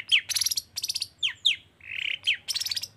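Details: Long-tailed shrike in lively 'toet toet' style song, used to prompt lazy shrikes to sing: sharp downslurred whistles alternate with buzzy, rattling bursts, and one drawn-out harsh note sits in the middle.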